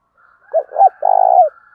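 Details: Caged spotted dove used as a decoy to call in wild doves, giving one clean phrase: two short rising coos, then a long, pulsing, slightly falling note, with a faint higher hum behind.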